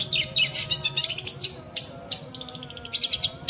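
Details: Long-tailed shrike (pentet) mixing harsh chatter with a few clear whistled notes, then ending in a run of quick rhythmic chips.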